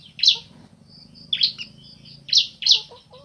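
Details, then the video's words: Bar-winged prinia pair, male and female, trading calls: four sharp, rasping high notes in irregular spacing, a thin high whistle drawn out between the first two, and a low steady hum underneath. "Suara Asli Ciblek Jantan Betina Bersahutan"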